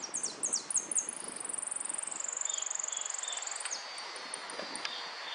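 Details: Saffron finch singing in the repique style at a singing competition: quick downward-swept high notes, then a long rapid buzzy trill held steady and very high, with a few shorter trilled notes after, over faint background murmur.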